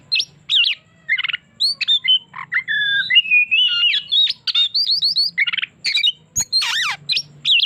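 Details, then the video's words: Oriental magpie-robin singing a lure song meant to draw out another bird's repertoire: a rapid, varied stream of clear whistles, slurred upward and downward notes and harsher squawky phrases, almost continuous, with a faint low hum underneath. "Pancingan Burung Kacer Bongkar isian"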